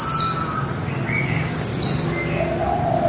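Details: Two quick, piercing downslurred whistles from a female white-eye (khuyên mái) singing líu style, with soft lower chirps trailing after and a persistent low-frequency hum.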